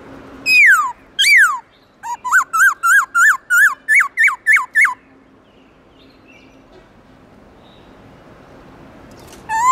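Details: Black-throated laughingthrush in the morning, singing forest-voice style. Two slurred falling whistles lead into roughly nine quick looping notes, then a few seconds of quiet background before a single note starts at the end.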